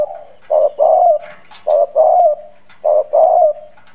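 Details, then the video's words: Hoarse-voiced spotted dove used to lure wild doves: three low husky coos, each a brief note then a longer rolling note, spaced about a second apart. "Cu gáy mồi Cứng Gù giọng đồng khàn kích bổi nhanh nổi"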